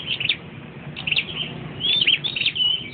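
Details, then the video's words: A perched flowerpecker sings quick high chips, then a clearer downslurred whistle and more twittering notes, over a quiet low background rumble. "Chim sau dau do dau hot"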